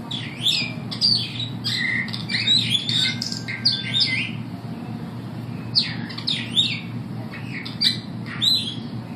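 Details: Superb starlings singing at the St Louis Zoo, recorded 15 September 2012: a busy jumble of high whistles, chirps and squeaky notes in quick bursts, pausing briefly before resuming, over a steady low hum.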